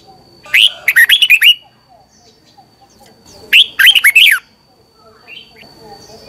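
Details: Morning training song of a red-whiskered bulbul, used to stimulate other birds into singing. Two lively phrases of rapid, rolling, chirpy notes about three seconds apart, then soft scattered twitters; a thin constant high whine in the background.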